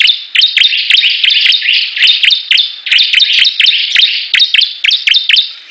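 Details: Bar-winged prinia (ciblek) singing in competition with rivals: quick run of sharp downslurred chirps, about three a second, with brief pauses between bursts and high clicking ticks over the top.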